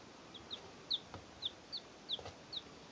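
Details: Peeping of three chicks two days old, recorded in 2012: a string of seven or eight brief high piping notes spaced roughly every third of a second, over constant low hiss.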